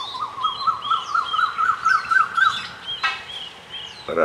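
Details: Coppersmith barbet: a steady series of short, hollow, tonal notes, each rising slightly, repeated about four times a second. Higher chirps from other birds sound behind it, and a brief harsh burst cuts in near the end.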